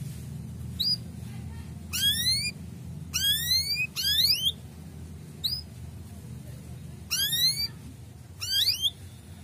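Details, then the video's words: Male canary giving bursts of rapid, rising, high bright chirps in short trills every second or two over a low background hum, used as a lure to stimulate breeding condition in young canaries. "Suara cuit cuit kenari jantan,effektive naikan birahi kenari muda"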